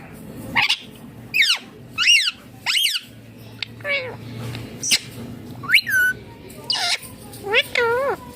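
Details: Indian ringneck parakeet calling in a loud series of harsh, rising-and-falling screeches and chirps, about nine short notes spread over eight seconds with brief pauses between, some sharply upswept, some arched, against a low background hum.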